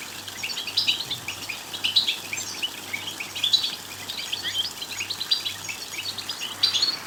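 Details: European goldfinch song to spur a goldfinch to sing: an energetic run of high twittering chirps and trills, slightly louder peaks every second or two, with a faint low hum beneath.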